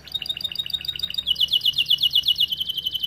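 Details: Starblue canary delivering a tutor song for training young canaries, with fast high twittering notes about four per second that grow louder into a bright, rapidly repeated trill.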